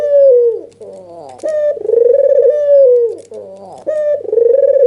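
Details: Agitated, head-bobbing white puter dove with red eyes, a lure call to make lazy doves reply: back-to-back coos, a falling tail note, then a rising clipped start leading into long, warbling, level purrs; low electrical hum in the background.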